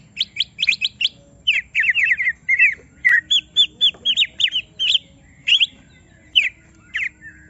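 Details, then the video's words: Greater green leafbird singing in an agitated state after provocation: lively series of clear, sharply slurred chirps, delivered in quick runs of three to five notes with short breaks, ending in sparser squeaky calls. "Semua Cucak Ijo Langsung Emosi Bongkar Isian mendengar suara Cucak Ijo lagi di Trek Emosi ini"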